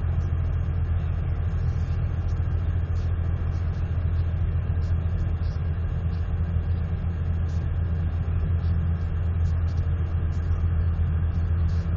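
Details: Steady low rumbling noise throughout, like wind or machinery, with no animal calls.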